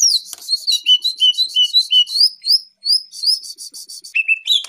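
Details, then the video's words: Champion greater green leafbird in a full-isian masteran recording: clear, high whistled phrases, short slurred notes alternating between two pitches, then buzzy, chattering upper notes, with no background noise. "Masteran Cucak Ijo Full Isian Burung Juara"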